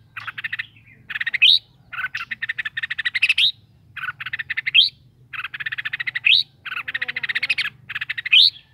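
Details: Red-whiskered bulbul kept in a cage delivers a steady series of fast buzzy pulse trains, each ending in a sharp rising whistle, about one phrase per one and a half seconds.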